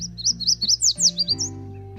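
Yellow Warbler singing a quick run of about ten bright, sweet, high notes that sweep up and down and speed toward the end, over soft background music.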